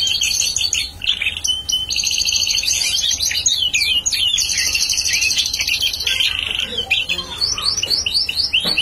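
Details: Energetic bar-winged prinia song from a bird intended as a decoy: dense, fast trills and buzzy chirping runs, followed by a few separate sweeping notes at the end.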